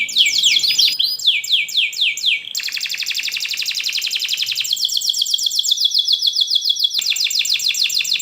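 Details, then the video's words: Canary in long, vigorous song, used to teach young canaries to sing: sweeping up-slurred chirps, then a fast, dense rolling trill of rapid repeated notes, shifting into further tight high trills. "kenari gacor panjang Cuit Cuit EMOSI, Pancingan Kenari Paud Belajar Bunyi"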